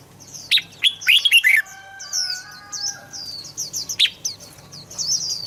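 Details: Red-whiskered bulbul song, played to lure birds or excite them into singing: a burst of rich, warbling whistled phrases early on, a lone phrase near four seconds, and many thin high chirps running throughout.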